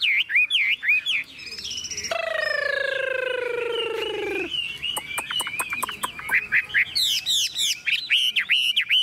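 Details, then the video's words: Hand-tamed Chinese hwamei in a cage that is carried and shaken, singing: quick whistled slurs, then a long drawn, falling, nasal note lasting about two seconds, followed by rapid clicking notes and renewed looping whistles. "Họa mi thuần điện căng đét - Xách tay lắc lồng hót đỉnh"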